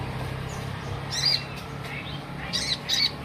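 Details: Olive-backed sunbird in full daily song: a few sharp, high, squeaky chirps in short bursts, separated by pauses, over a low background hum.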